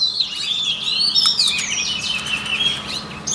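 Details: White-rumped shama voice-training song: a continuous, fairly soft stream of high warbling and slurred whistles.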